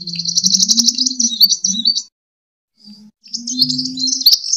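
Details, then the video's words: Sunbird fighting song, used to lure and train birds. Dense high buzzy trills and rapid twittering come in two bursts separated by a one-second pause, over a low droning hum. "Suara: -*BuRunG*- [Pancingan] ( KOLIBRI TARUNG ) BUAT MASTER"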